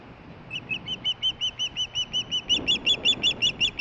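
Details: Osprey female chirping nearby while getting a fish delivery, late evening 23 July 2015; about eighteen high, clipped chirps in an even rhythm, growing louder and harsher toward the end, with a soft rustle.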